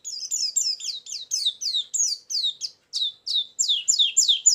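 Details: White-eye lure song: a quick series of high, sweeping chirps repeated about three times per second, each note sliding downward, forming a steady, energetic twitter.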